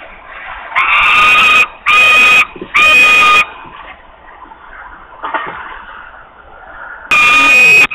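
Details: Very hungry osprey in Poland, Włocławek, 8 August 2021, screaming for food. Three harsh, prolonged screams come in quick succession, then a few seconds of softer background sound, then one more loud scream.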